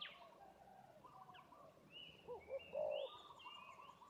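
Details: Spotted dove, a fighting-type decoy bird used for luring wild doves, calling in a territorial fighting context: two short low coos followed by a longer, stronger coo, with thin high chirps from other small birds overhead.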